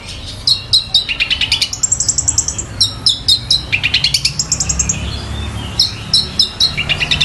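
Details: Long-tailed shrike mimicking a tree sparrow and a tiger shrike, delivering bursts of high chattering notes mixed with rising and falling whistled phrases and quick chip runs.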